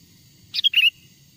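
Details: Sooty-headed bulbul lure song, the genuine song of a wild bird meant to bring wild bulbuls near: a single quick phrase of three or four bright, bubbling, slurred whistles, with a soft hum in the background.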